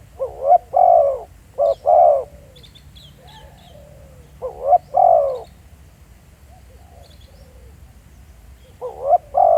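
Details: Live field recording of a decoy spotted dove at Pha Sing, Thailand: three clear coo phrases about four seconds apart. Each is a quick rising note, a short hoot, then a drawn-out hoarse coo. Soft faint calls sound in between.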